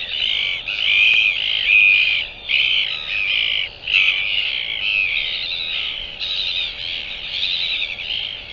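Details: Northern royal albatross recorded on 28 January 2023, giving a series of loud, buzzy, nasal bursts about a second long, separated by brief pauses, with some rough whinnying notes; no other sounds stand out.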